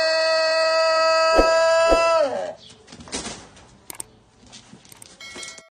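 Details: Ayam Etawa chicken, a long-crowing rooster, holds a single even, resonant crow note for over two seconds before it drops away, with sharp knocks during the crow and clattering afterwards.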